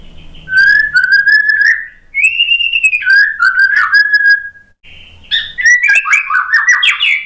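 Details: White-rumped shama singing after moulting, rich loud whistled phrases, long sliding notes rising and falling, followed by a fast varied burst of tumbling whistles.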